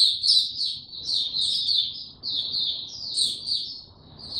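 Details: Caged white-eye recorded 29 April 2022 in 'power down mode', given no health supplements, opening into song: a continuous, rapid, high-pitched twittering warble of tumbling notes with barely any pauses, over a faint low background rumble.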